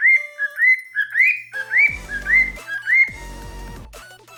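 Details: Two pet cockatiels, normal pied and albino, whistle tunes such as the Mickey Mouse March toward their owner's ear: a chain of rising, slurred whistles at a steady pitch, with low thumping knocks in the middle.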